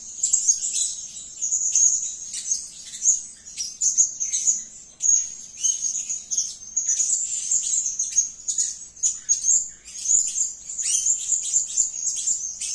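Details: Blue-crowned hanging parrot in full voice, giving rapid, piercing, high chittering notes and thin sibilant trills almost without a break for about thirteen seconds, with sharp clicky accents throughout.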